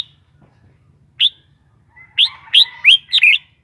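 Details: Captive red-whiskered bulbul sings one isolated whistled note, then after a pause a string of four or five rising, chirpy whistles with a thin, steady tone beneath them. A faint low hum sits in the background.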